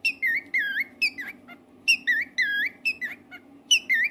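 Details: Captive pet cockatiel whistling its song: clear warbled notes with upswept and dipping tones in quick groups of three or four, repeated about every second and a half, with a constant low electrical-sounding hum behind.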